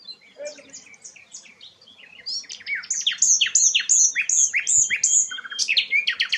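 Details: Flycatcher known locally as sikatan londo, singing actively; its melodious song is used to tutor white-rumped shamas. A fast, varied run of high chirps and sweeping notes builds in volume, with short buzzy elements mixed in.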